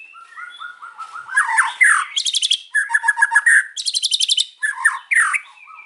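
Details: Afternoon song of a white-rumped shama: soft whistled notes build into loud downward slurs, then fast buzzy rattles and trills in short phrases, ending on a whistle.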